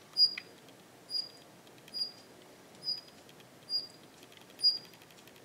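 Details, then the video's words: In a garden, a Daurian Redstart, now less wary and sharing territory with a Japanese wagtail, gives two call types: thin, high, sharp whistles about once a second, six in a row, with soft dry ticks faintly between. "ジョウビタキの鳴き声 ２種類の声が聞こえます"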